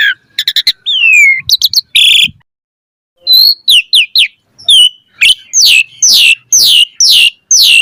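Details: Varied song of an Asian pied starling, a lure recording for teaching caged birds: clicking bursts and a long descending whistle, a pause, then a row of loud, sharp, downslurred whistles repeated about twice a second.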